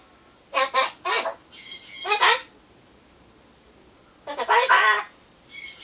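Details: Solomons corella murmuring to itself as it waits for its pumpkin, seemingly saying goodbye phrases; two clusters of rough, nasal, word-like syllables, each group lasting about two seconds.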